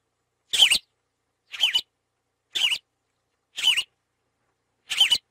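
Yellow-rumped Marshbird giving five short, harsh, slurred notes, each about a quarter-second long, spaced roughly a second apart, high-pitched, with silence between.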